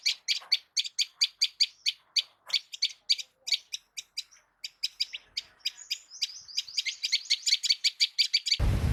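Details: Morning birdsong in an Indian village: rapid, high chirps repeated in quick bursts, a few softer overlapping notes midway, ending in a sudden loud rumble of noise.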